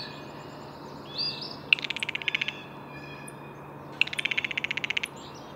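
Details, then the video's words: A pair of buzzy, pulsing blue jay calls roughly two seconds apart, each a rapid string of clicks, with faint whistled birdsong behind them. "Blue Jay Bird Calls"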